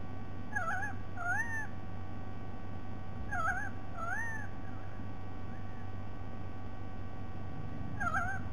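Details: White-bellied sea eagle, dated 07 12 2020: short, wavering, nasal notes given singly or in quick pairs, several bursts spread over about eight seconds with pauses between, over a constant low rumble of background noise.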